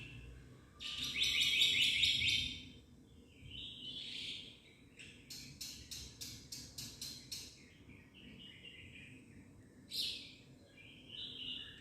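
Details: Black-winged myna song with full varied phrasing: a harsh buzzy burst, then rapid clicking rattles, short nasal whistles and squeaky notes separated by pauses, over a quiet background.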